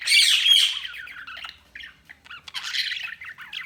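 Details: Budgerigars open with a loud, strained, screechy call lasting over a second, then fall into softer, scattered chirps and scratchy chatter.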